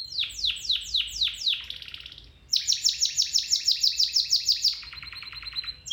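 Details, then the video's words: Canary song played as training to help a domestic canary start singing again: descending whistled sweeps, a soft buzzy roll, then a long fast series of bright repeated high notes ending in a lower trill. "Canary Singing 4k Video [Training for your canary]"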